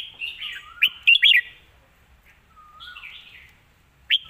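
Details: Red-whiskered bulbul, a promising young bird with good phrasing and a light voice, sings a fast bright phrase of three chirped notes, then a softer slurred warble and a low rising whistle before a final sharp note.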